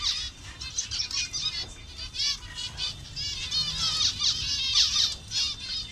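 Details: Colony of colour-variant zebra finches in Bangladesh: many birds chattering with short, nasal, buzzy honks and quick chirps, bursts rising and falling in loudness, a faint low hum beneath.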